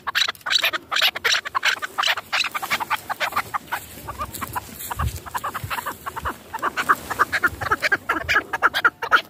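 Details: Chukar partridges from Dashti Jum, kept for hunting: dense, rhythmic clucking bursts in quick succession, briefly quieter midway with a low thump, then resuming strongly.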